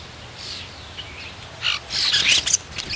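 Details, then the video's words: Blue jay at a suet feeder, described as chatty and talkative, giving a few harsh, noisy calls in quick bursts, loudest in the second half, over a soft steady background hiss. "Chatty bluejay gets a turn at the suet"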